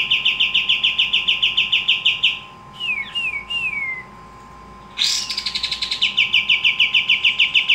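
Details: Active pied triller (kapas tembak) song: a steady rapid series of bright repeated notes, three downslurred whistles, then a harsh burst leading into another fast chattering run.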